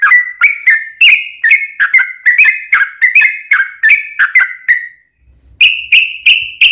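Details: Long ropel song of a sooty-headed bulbul, played to make other bulbuls sing back: about five seconds of rapid, slurred whistles, then silence, then three higher, clearer whistled notes.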